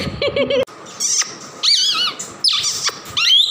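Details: Tame two-year-old male plum-headed parakeet kept as a pet, which says words in Urdu or Hindi and whistles: a quick run of nasal squawky syllables, then wavering, warbling whistled and chattering phrases, with short breaks between bursts.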